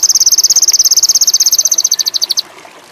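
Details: Sogon indigo, the ruby-cheeked sunbird, used as a lure for birds in high mating urge: a short burst of very high, rapidly repeated notes that spread apart before ending.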